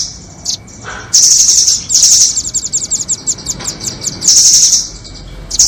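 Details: Lure for catching doraemon and red-billed nuthatches: a brief chip, then long very high rattling trills that break into rapid separate ticks before another sustained trill.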